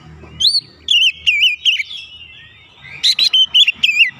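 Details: Oriental magpie-robin excited by a lure recording: clear wavy whistled phrases repeated in a short series, a pause, then a quicker burst of bright notes.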